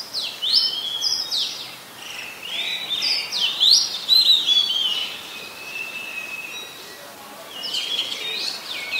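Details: In Ubon Ratchathani, Thailand, on 26 December 2020, an Oriental magpie-robin sings loud, clear whistled phrases with upward and downward swoops and crisp chips, then pauses before another short burst.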